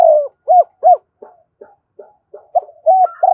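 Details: Lure spotted dove with the two-ending 'giọng đôi' voice: a falling coo and two crisp arched coos, soft faint notes in between, then the call building again into sustained coos.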